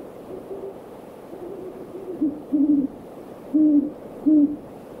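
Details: Several great horned owls hooting in a backyard in the evening: softer, slightly higher hoots drift in early, then three louder deep hoots follow in close succession over low steady background hum.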